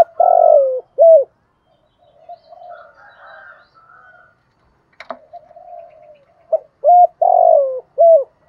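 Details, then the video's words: Decoy spotted dove gáy-calling to its flock at dawn: loud hollow coos at the start and end, separated by softer mumbled cooing and a sharp click. "tieng chim cu mồi gáy gọi buổi sáng. chim cu mồi gáy gọi bầy"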